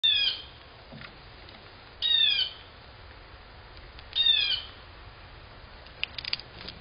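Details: A jay gives harsh, rasping squawks that slur downward as a squirrel eats at a feeder, in short bursts about every two seconds, with faint clicks and rustles between.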